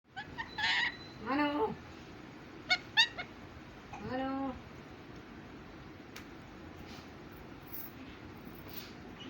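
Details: Pet parrot indoors imitating human speech and a cat's meow: a few soft, wavering, voice-like syllables and short rising-falling mews in the first five seconds, then quiet room hiss.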